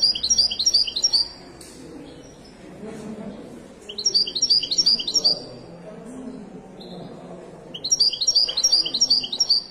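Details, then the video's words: Moroccan 'wedani' European goldfinch singing at the Souk al-Qriaa bird market in Casablanca. Three bursts of rapid, bright, tinkling twitters, each about a second long and separated by quiet gaps. A low murmur of market noise runs throughout. "تغريدة طائر حسون ويداني مغربي"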